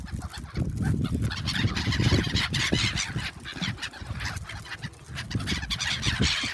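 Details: Numerous gulls crowding for food at Shin-Okayama Port park, Japan, 3 February 2021. A busy, continuous jumble of harsh, clipped cries rises and falls in loudness throughout.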